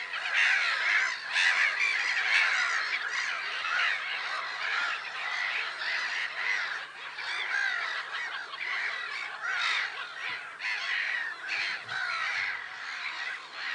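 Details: Crowded flock of black-headed gulls, Lake Sarymsak, Pavlodar Region, Kazakhstan, April 10, 2011: grating calls pile over one another in loud surges, about one prominent call a second.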